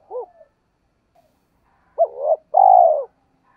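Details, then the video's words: Spotted dove lure cooing, giọng thổ style: a soft opening coo, a pause, then a rising coo running into a short roll and a long vibrating, gently falling burr. Otherwise quiet. "Chim Cu Mồi, cu gay kich boi nhanh noi gù/ tiếng cu rừng gáy"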